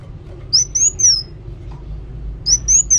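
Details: Singing kolibri wulung sunbird: three piercing high whistles, a quiet gap of over a second, then another group of three similar notes.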